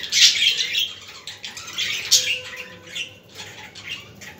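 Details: Budgies recorded for stimulating other budgies, giving loud scratchy squawks in bursts at the start and around two seconds, then softer warbling chirps, with a faint low tone in the background indoors.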